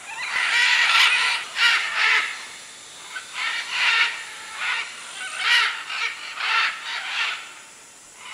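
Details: Many macaws calling at a clay lick in the Manu jungle of Peru, recorded in 2008; loud grating squawks opening strongly, then a steady series of hoarse screeches every half second or so.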